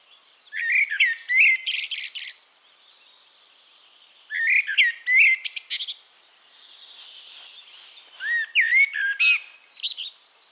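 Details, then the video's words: Eurasian blackbird song recorded in Castricum, the Netherlands: three separate phrases roughly every four seconds, each of low fluty warbles ending in a burst of high scratchy twitter, with faint birds between. "One Hour Relaxing Birdsong: Blackbird"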